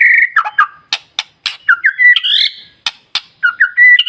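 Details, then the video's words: White-rumped shama song meant to trigger other birds to sing: a sustained whistle, then choppy whistled and buzzy phrases broken by sharp loud clicks, ending in steady whistled notes. "Pancingan Murai Batu Paling Ampuh Bikin Burung Lain Meledak Bunyi"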